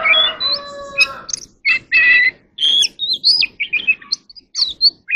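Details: Magpie-robin voice practice opening under a steady low droning tone, then breaking into clipped whistles, buzzy bursts and quick upslurred notes delivered in short clusters.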